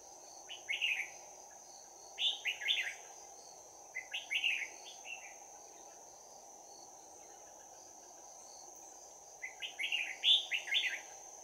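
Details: Red-whiskered bulbul used as a trap decoy, singing its 'bell voice' fighting song on 11 January 2019: clear, rapid warbled phrases of three to five slurred notes, repeated about every two seconds, with a pause before the last burst; constant high tone behind.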